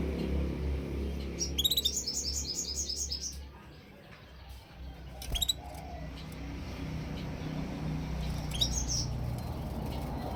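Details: Canary song in short bursts: a fast rolling trill of high, evenly spaced notes lasts about two seconds, followed after a pause by brief isolated chirps, with steady low background noise throughout.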